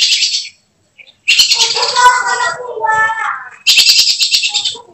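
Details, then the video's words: Kacer, or oriental magpie-robin, kept as a caged contest bird and singing in 'tembakan' style: loud hissing, buzzy bursts alternate with a harsh, lower rasping passage, then another long fizzing burst. "Emosi berubah menjadi tembakan di menit menit genting, Kacer bakalan prospek lomba"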